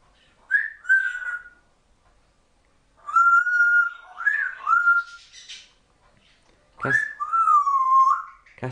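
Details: Young female African grey parrot kept as a pet, not yet a year old, talking away: three separate phrases of clear whistled, voice-like tones, each with rising and falling slurs and sustained level notes, in a quiet room.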